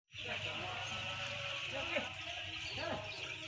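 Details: Chorus of some ten thousand white chicks, a dense, continuous high peeping that blurs into one shrill band, with a steady low mechanical hum underneath.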